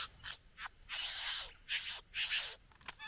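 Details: At the bower, a satin bowerbird courting a female gives harsh, hissing, wheezy bursts, three longer rasping notes in a row, faint buzzing between them.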